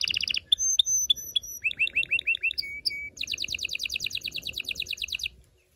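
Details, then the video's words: Canary song intended to prepare females and males for mating: whistled notes, a run of curved swoops, two lower sustained whistles, then a fast steady trill ending in quiet. "غناء طائر الكناري لتحفيز و تحضير الاناث و الذكور للتزاوج و تغريد المستمر"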